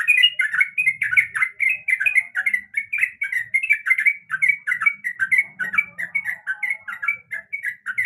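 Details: Yellow-vented bulbul, a female calling to the male, used as a lure recording: a dense, continuous stream of bubbly, slurred chirps in quick overlapping phrases with no pause over eight seconds.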